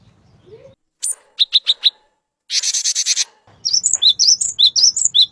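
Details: Male cinereous tit: four sharp repeated chips, a coarse buzzy churring burst lasting almost a second, then a fast string of alternating high and lower whistled notes.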